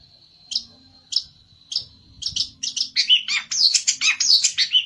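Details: Aroused olive-backed tailorbird, seeking an opponent, gives evenly spaced high chips over a steady thin whistle, then accelerates into a loud, rapid, tumbling burst of sharp notes.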